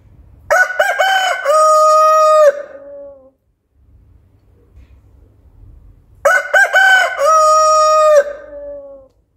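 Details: A local rooster crowing at dawn, giving two full cock-a-doodle-doo crows about six seconds apart. Each one opens with choppy, stuttering notes, then swells into a long, loud, steady, harmonic-rich note that fades, with quiet low rumble between.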